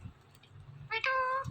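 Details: Indian ringneck parrot kept as a talking pet utters a clipped note, then a sustained nasal meow-like imitation, bright and steady-pitched, over a low hum, with a person's voice starting just afterward.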